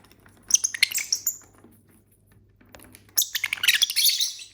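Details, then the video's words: ['Caged pet lovebirds, a family of six, eating and singing; two bouts of rapid, busy, scratchy twittering, the second louder and denser, separated by a short lull.'] "Bird sounds for lonely lovebirds (Eating, Singing & Chirping Sounds)"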